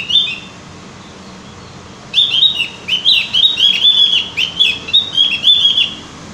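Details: Javan grey-throated white-eye song meant to encourage kept birds to sing: one short chirp, then a long, busy string of high, jumpy notes at roughly four per second.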